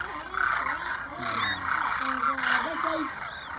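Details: About 2,500 Demoiselle cranes over Keechan, Rajasthan, India, in January 2016, flying overhead and then dropping in to drink at a small lake; a thick wall of overlapping rolling calls with a few clearer undulating notes beneath.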